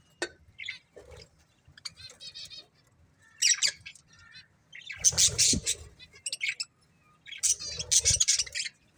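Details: Budgerigar breeding pair giving scattered squeaky chirps and short scratchy chatter, then louder harsh squawking bursts in two clusters separated by brief pauses.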